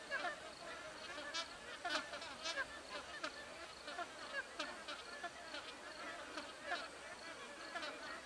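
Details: Magpie geese perched in trees give a dense chorus, many loud honking calls overlapping continuously with no pause, with a few sharper notes standing out.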